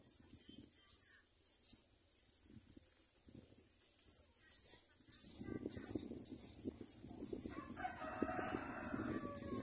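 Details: At a myna nest with four young being raised, sparse high chirps build into rapid, repeated raspy squeaks about twice a second, joined midway by a low rumbling noise.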